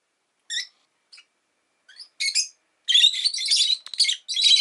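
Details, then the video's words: Rosy-faced lovebird, a caged pet, starting with sparse scattered chirps that build into a long continuous stretch of loud, buzzy, chattering screeches. "Lovebird Chirping Sounds"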